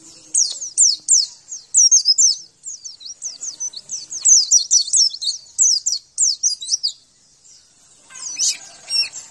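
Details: Javan white-eye song for prompting kept birds to sing: a long run of quick high sliding whistles and chatters, fading into softer, scratchier notes at the end.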